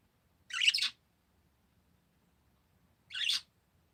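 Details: Parakeet calls: two rough, scratchy chirps about two and a half seconds apart, each about half a second long, with silence between them.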